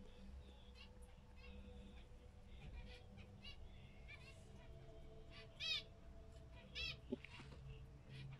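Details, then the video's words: Zebra finches give short, nasal beeping calls at scattered intervals, two louder near the end, while a pet cat watches, meows and seems to answer them; steady low hum and a woman's voice. "Minha gata adora tentar falar na língua do mandarim, zebra finch."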